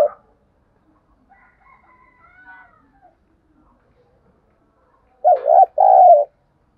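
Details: Spotted dove lure call meant to stimulate wild doves: long near-silence with a few faint soft notes, then one loud, low two-part coo near the end.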